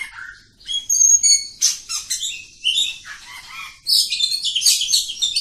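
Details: Village-type oriental magpie-robin in long continuous ngacor song: a rapid medley of high whistles, chattering bursts and rising slurred notes, with little pause between phrases.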